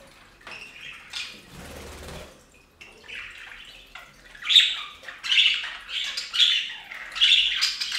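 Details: Budgerigars bathing on a fountain start with soft warbles after a splashy rush of water, then give bright chirpy bursts roughly once a second with sharp squeaky peaks.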